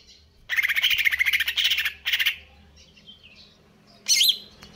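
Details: Greater green leafbird, a caged bird kept in stable condition, delivering konslet kejer nembak song: a long pulsed buzzy trill lasting over a second, a short repeat, then a brief high sharp whistled flourish.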